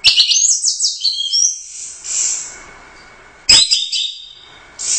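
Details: Orange-headed thrush, a contest winner at the Royal Cup, giving two bursts of quick, high twittering and whistled phrases separated by a hissy pause, with a sharp click before the second burst.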